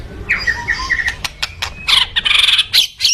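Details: White-rumped shama in energetic song: a few slurred whistled notes, then harsh squawky bursts and sharp clicks in a quick, irregular sequence.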